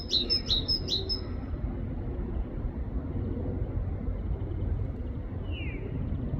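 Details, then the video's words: Great tit in a UK forest giving three quick two-note phrases, high then lower, before falling silent; a faint short downslurred call comes later over steady low rumble. "Great tit bird singing in the UK forest || great tit sounds"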